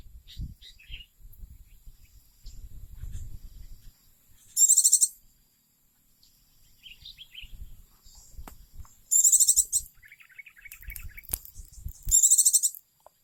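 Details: Oriental white-eye, a beloved pet bird, singing energetically: four short bursts of shrill, fast-pulsed trilling spaced several seconds apart, with quieter scattered high chirps and faint low background rumble between phrases.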